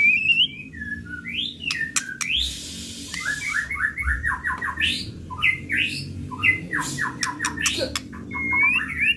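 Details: White-rumped shama of the pistol type singing a lure recording intended to rouse it: rapid, varied whistled phrases, quick descending series of notes and sharp clicks, with a brief burst of hiss early on.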